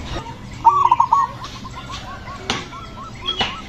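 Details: Aggressive zebra dove singing to provoke other doves: a single bright burst of fast, knocking coos, followed by a long series of softer, evenly spaced coo notes from other doves.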